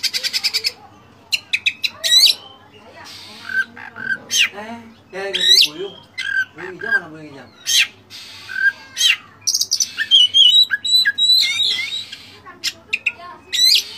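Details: Oriental magpie-robin in a training recording full of fill-in phrases: a dense stream of harsh, clicking and rasping notes mixed with short sharp whistles, hardly pausing.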